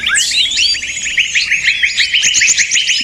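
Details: Small birds calling noisily as a lure for trapping: a hurried run of sharp chirps, about two per second per voice, over a thin high trill, with many birds overlapping.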